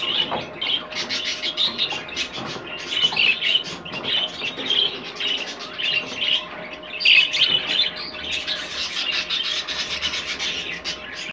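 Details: Rainbow clearwing budgerigar, a captive colour form, warbling and chirping in bursts with brief pauses, a louder burst around the middle, and a low steady hum behind.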